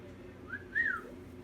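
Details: Cockatiel giving a short, soft whistle: a brief note, then a higher rising-and-falling whistled phrase lasting about half a second, over low background hum.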